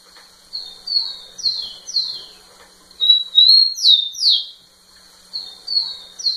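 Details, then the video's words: Rufous-collared sparrow singing to a female, delivering several phrases of flat clear whistles and paired falling slurs, each phrase about two seconds apart, in a quiet setting. "Tico tico cantando muito na cara da fêmea"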